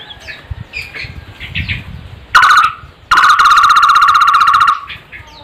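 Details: Barbet giving two loud bursts of a rapid, harsh, steady-pitched pulsed call, the second lasting over a second, after a stretch of softer chirping from other birds.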